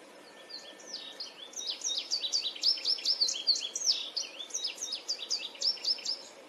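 Indigo Bunting giving a fast, jumbled run of high, sweet, sliding notes, quickening and thickening after the first second, over a faint steady hiss.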